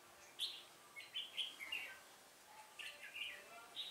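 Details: Red-whiskered bulbul recorded during trapping on 1 October 2018. Loud, sharp whistled notes are strung into brisk chirping phrases, with a short lull before another bright run of notes.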